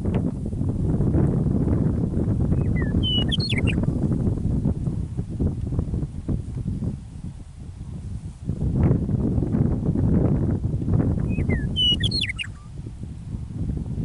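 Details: Meadowlark singing in prairie near Michichi Dam, Drumheller, Alberta, Canada, on an early spring evening after winter: two songs about nine seconds apart, each opening with clear whistles and ending in a quick gurgling, tumbling phrase, over strong wind rumble.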